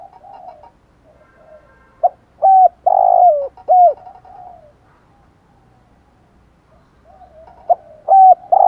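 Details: A spotted dove's 'gáy gọi' calling song and 'thúc gù' urging coos, used to stimulate decoy birds: quiet low cooing, then a loud phrase of short hooked coos around a long rolling note, starting again near the end.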